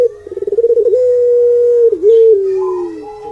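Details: Barbary dove in the melodious puter pelung cooing style: a burst of rapid rolling pulses, then a long smooth steady low coo, dipping briefly and settling onto a slightly lower sustained tone.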